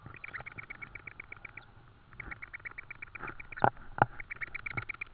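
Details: Tawny owl nest in Estonia on the evening of 4 May 2013 during another food delivery, an insect. Fast strings of thin chirping notes repeat almost continuously, broken by several loud knocks and thuds.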